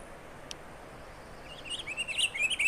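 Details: Pine grosbeak singing in the Cascades: after a quiet start, a run of clear warbled notes rises and falls in quick succession over steady background hiss, with one faint sharp tick early on.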